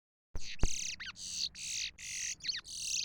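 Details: Chestnut-bellied seed finch singing: a series of short, dense buzzy high bursts alternating with quick downward-slurred notes, about seven phrases in quick succession.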